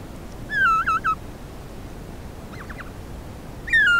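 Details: Himalayan snowcock (Tetraogallus himalayensis) on a crest at about 3,400 m in Sarychat-Ertash reserve, Kyrgyzstan, 2016, recorded by camera trap; a gregarious flock regroups at evening with contact calls. Loud, slightly descending whistled notes with a harmonic edge, over steady hiss.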